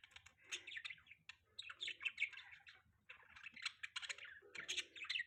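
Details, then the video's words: Morning chatter of pet budgies in mating season, a continuous scratchy, buzzy warble mixed with sharp chirps and occasional lower grating notes, pausing briefly midway; a soft low hum runs underneath. "budgie chirping sound|budgie mating season"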